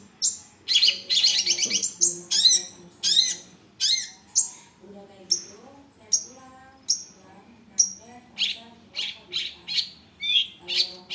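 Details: Long-tailed shrike (cendet) singing a busy, varied masteran song: rapid chattering trills, sharp high chirps and short whistled notes in quick bursts, with a steady low hum underneath throughout.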